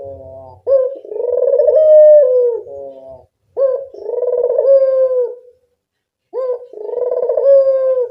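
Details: Local spotted dove used as a lure call: three long, mellow coos, each a drawn-out low phrase lasting about two seconds with a brief rise, spaced by short pauses, clean with no other sounds.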